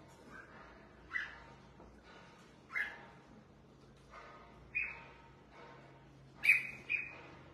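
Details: A kept red-whiskered bulbul at bath and sunning time sings clear whistled notes roughly every one to two seconds. The last phrase is louder, with a quick double note, over a faint low hum.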